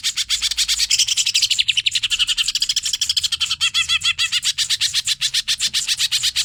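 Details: Cucak ijo, the greater green leafbird, in a hyper-style song meant as a master recording for training songbirds: a dense, fast stream of high chirps and trills, with some bright whistled slurs mixed in, delivered without pause.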